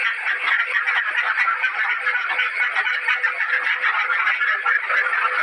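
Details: Loud caged ducks in a crowded chorus, rough quacking and chattering calls blending into a continuous mid-pitched din with small rhythmic pulses in volume and no breaks or other noises.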